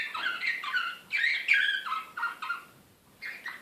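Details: Slavujar-style canary from Belgrade, 2016, in excited song. It gives quick choppy chirped phrases with a louder burst mid-way, falls briefly silent near three seconds, then resumes.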